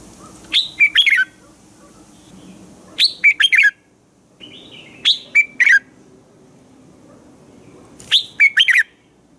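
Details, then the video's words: Red-whiskered bulbul singing in the morning, used as a training voice for other bulbuls: four phrases of quick, melodious whistled notes, three or four per phrase, coming about every two to three seconds. "Chào mào hót sáng hay - DÙNG ĐỂ LUYỆN KÍCH BỔI CĂNG HÓT"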